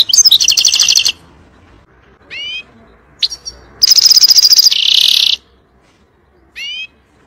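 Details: European goldfinch song in the 'nar' (fire) style for teaching young birds: a pulsing high trill, short upward whistled slurs, a few clicks, then a long buzzy trill sliding into a rasping buzz, and a final slurred note.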